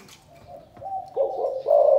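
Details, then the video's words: Spotted dove from Cần Thơ, Vietnam, calling in the chụp chụp ô style. A short stretch has a faint low note, then two stronger mellow coos that swell and hold steady. "Chụp chụp ô gáy gọi Thái Vân hoa : Cu gáy Cần Thơ"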